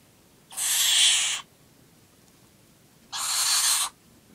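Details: Barn owl aged nine weeks at feeding time, uttering two long breathy screeches, each close to a second, spaced about two seconds apart against a still background.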